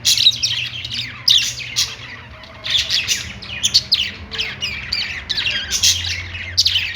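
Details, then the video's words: Budgerigars singing on a perch: dense, scratchy warbling chatter with quick chirps and squawky notes in rapid bursts, pausing briefly around two seconds in, with a faint low hum beneath. "budgies singing on perch"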